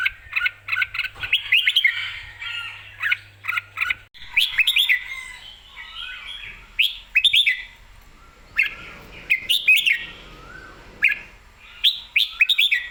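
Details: Red-whiskered bulbul, excited and singing clearly, delivering bright warbled phrases with quick rising and falling notes, broken by short pauses and repeated in bursts over a steady low hum.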